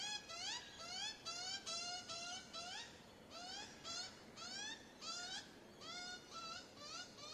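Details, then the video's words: Baby magpie crying for food: a rapid series of wailing, rising, harmonic-rich cries, about two per second, some slurred upward and overlapping, with brief pauses between bursts; quiet background. "Baby Magpie cries for food"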